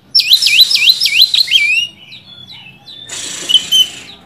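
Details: Kacer, the oriental magpie-robin, in a rival-provoking lure song: a quick run of looping, up-and-down whistles, about seven in under two seconds, then a few thin notes and a hissy, noisy burst.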